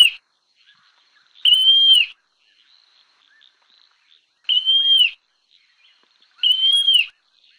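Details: A montane nightjar, known locally as malha al-ruyan, gives three loud, pure whistled notes with a slight rise and fall, evenly spaced about two and a half seconds apart against near silence.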